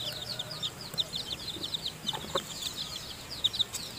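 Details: Chicken: newly hatched chicks in a nest with their mother hen as she feeds them; a dense chorus of high, thin peeps from many chicks, each note briefly sweeping downward, overlapping almost without pause.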